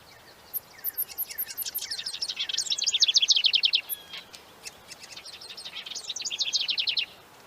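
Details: Small wren in tembakan rapat song used as masteran: long strings of quick, high staccato notes repeated several times a second, rising in intensity, pausing, then resuming with another fast burst.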